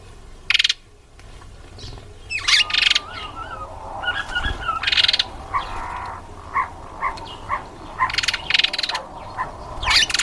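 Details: Green pigeon (Treron calvus) eating an apple gives wavering, whistled notes, then a run of short, evenly spaced piping notes about twice a second, broken by loud rustling bursts.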